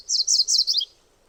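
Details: Rapid, buzzy song of a MacGillivray's warbler, beginning mid-phrase with four loud high chirping notes and finishing on a lower downslurred note, followed by near silence.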